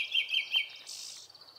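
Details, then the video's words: Three evenly spaced pure whistles from a Japanese thrush, followed by a high hissing buzz, in a Hokkaido forest in early summer; Nikon Coolpix P950 recording. "クロツグミの鳴き声（さえずり） / Japanese Thrush"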